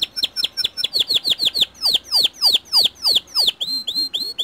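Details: White canary singing a lure song meant to get other canaries singing: rapid series of descending whistled notes repeated about three per second, then a run of short upward-curling chirps.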